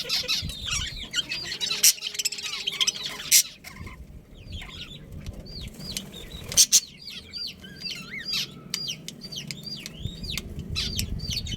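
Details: Breeding budgerigars in a family colony: a dense chattering start, a lull, then a run of quick, looping high chirps. Rustling and a low background rumble run throughout.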